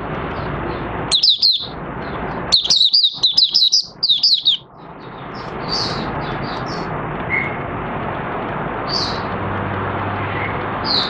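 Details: Oriental white-eye, a kept bird recorded 25 August 2022 after three months of sleeping with its cage cloth open at night, in open song: two bursts of rapid, high twittering notes, then only a steady low hum.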